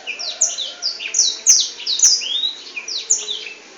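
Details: Black-throated canary performing long song with wings spread: quick high chirps, upward and downward slurred whistles and a smooth rising whistle, delivered rapidly in a continuous twittering flow.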